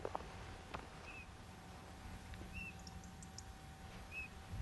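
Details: Three gentle piping whistles from a Eurasian bullfinch, each short and slightly falling, spaced about one and a half seconds apart, captured by digiscoping in the heat of the day amid faint ticks, low rumble and a steady hum.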